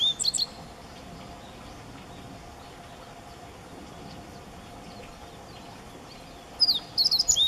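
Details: Siberian meadow bunting, song rendered locally as "ippitsu keijō tsukamatsuri sōrō", recorded close up in a park garden at Higashi-Mikawa Furusato Park in May 2017; short high twittering phrases open and close a long quiet gap with faint background hum.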